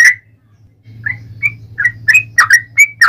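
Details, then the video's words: Yellow-vented bulbul singing in a fighting style, used as a lure to provoke other birds into answering. After a brief quiet gap, short bubbly whistled notes near the middle pitch range come in quick succession over a steady low hum. "KICAU SUARA trucukan gacor TARUNG ROPEL PANJANG ampuh MENJADIKAN burung trucuk gacor NYAUT SEKETIKA"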